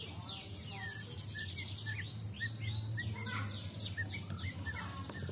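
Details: White-rumped shama (murai batu), described as agitated and singing vigorously again, delivers a varied run of clear whistles, rising slurs and quick chips, with some arched notes repeated in a row, over a low background hum.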